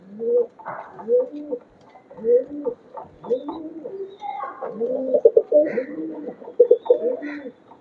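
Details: Pigeons in a home loft cooing repeatedly, low rolling two-part coos roughly every second, with overlapping birds and faint higher chirps from other pigeons, recorded indoors.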